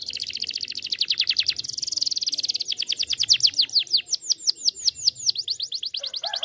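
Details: Canary song played to lure other canaries into singing: a long, fast, high trill of repeated downslurred notes, accelerating then slowing into separate chirps near the end, with little background.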